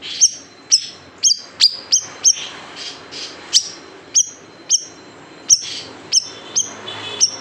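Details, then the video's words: Large siri-siri bird delivering 'tembakan pedas' song used for tutoring caged birds: loud, clipped, very high chirps dropping sharply in pitch, repeated briskly about twice a second with short breaks. "SIRI SIRI BESAR TEMBAKAN PEDAS | MASTERAN BURUNG KICAU"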